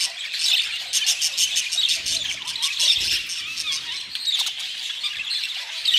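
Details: Several budgerigars give a busy mix of rasping squeaks, short squeals and warbled notes, overlapping without pause.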